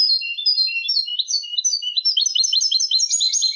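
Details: Nonstop Malaga song of a European goldfinch, used to train young goldfinches and hybrids: high, sweet twitters shifting into quick rhythmic repeated chirps, clean with no other sounds.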